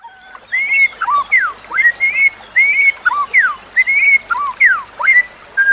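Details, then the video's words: White-rumped shama song used as a master recording to train other shamas: clear whistled phrases near mid-high pitch, rising and falling slurs repeated in quick groups with short gaps. "Kicauan Murai Batu yang Menggoda Telinga"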